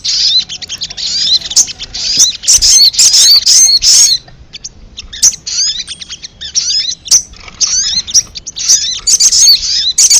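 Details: Ruby-cheeked sunbird calls played as a lure for wild birds: dense run of high, squeaky chirps and quick slurred twitters, nearly continuous for ten seconds with only short gaps.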